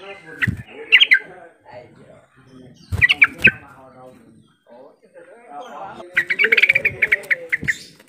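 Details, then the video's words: Yellow-vented bulbul call used to stir silent, reluctant bulbuls into answering: bright chattering notes near one second and three seconds, then a longer bubbling run of repeated notes, with lower murmuring sounds in between. "Suara panggilan trucukan yang seperti ini cepat merangsang trucuk bisu jadi ikut bunyi sahut sahutan"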